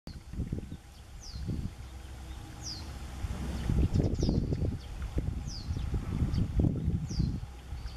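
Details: Japanese wagtail perched in a tree in May 2021, a parent calling insistently in alarm with fledglings nearby; sharp, high, down-slurred notes repeated about every one and a half seconds over low rumbling engine-like noise.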